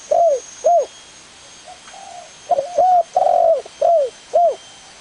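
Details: Spotted dove cooing: two clear arched hoots, a pause with soft faint coos, then a full phrase of hoots around a long drawn coo; light background hiss.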